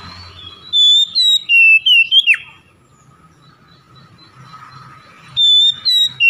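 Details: Oriental magpie-robin, lure recording for silent, lazy birds: bright whistled notes in quick succession ending in a steep downward swoop, a quiet pause with low hum, then the whistling resumes.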